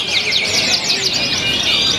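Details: Small-bodied canary competing in the general standard canary class at a bird-singing contest in Karawang, West Java, on 5 July 2020, where it won. Dense high chirpy trills and twittering run continuously, with crowd voices talking underneath.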